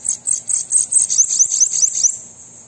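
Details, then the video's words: Captive-bird stimulation song of a bananaquit: a two-second string of very high, thin, buzzy notes, the later ones sliding sharply downward, ending in a fading high-pitched hiss. "Sibite canto para estimular seu Sibite a cantar"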